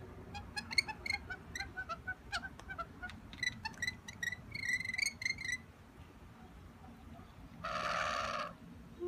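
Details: Wild rainbow lorikeets peering in a window for food: rapid strings of short, high chirps and clicks, a denser chattering burst midway, then one loud harsh screech near the end.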